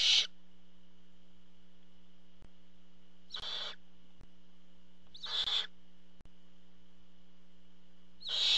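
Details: Barn owls at a nest watched by a nest camera, as a parent brings food. Four harsh, breathy hissing bursts come about every two to three seconds over a steady low electrical hum.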